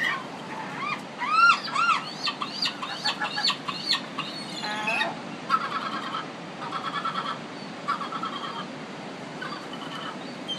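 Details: City gulls on the Pacific calling, a run of rapid rising-falling yelping notes early on, then scattered harsher broken calls from several birds over steady background noise.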